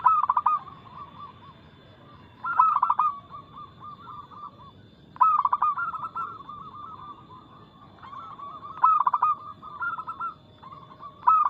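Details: Zebra dove of local stock singing actively with quick, loud, clear notes, played as a lure to prompt other doves to sing; strong trilled coo bursts recur roughly every three seconds over a steady bed of quieter, bubbling cooing.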